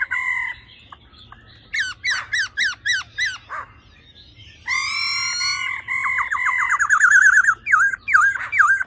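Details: Female laughingthrush giving 'ro ro' calls to stir males: a nasal note, five harsh chevron-shaped calls, then a long buzzy phrase that breaks into wavering, bouncing notes.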